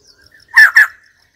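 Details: Two loud, harsh notes from a white-crested laughingthrush, close together and abrupt, in otherwise quiet surroundings.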